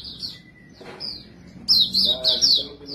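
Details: White-eye song of the white-breasted, Buxtomi or Montanus kind, used to lure other birds. Brief high chirps, then a quiet gap with a soft thump, then a loud burst of sweet twittering notes.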